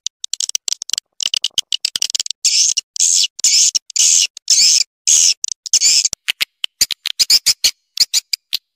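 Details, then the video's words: Swiftlet attraction call, very high and hissy: crisp clicks at first, then longer buzzing squeaky bursts in a regular sequence, ending with rapid clicks. "Suara Panggil Burung Walet"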